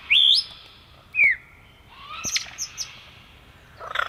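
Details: Male Superb Lyrebird in Australian forest, singing while flitting between trees: a loud rising whistle, a second sharp slurred note, then softer scattered chips and a rough burst.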